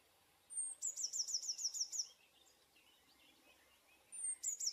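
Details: Eurasian blue tit delivering a song: a high thin introductory note followed by a rapid run of buzzy repeated notes, a pause with faint twitters, then the next phrase beginning with the same high note.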